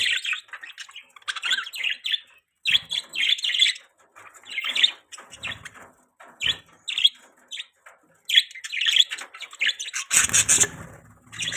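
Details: Budgerigars keeping up a busy chatter of high, raspy chirps and short warbles, with a louder broadband rustle near the end, possibly wing flaps.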